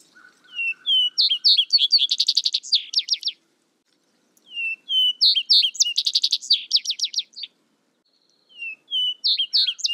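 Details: Vesper sparrow song given twice, each opening with a few low slurred whistled notes, then rising into a fast run of bright trills and buzzy chips around two and a half seconds long, separated by short pauses, with a third song starting at the end.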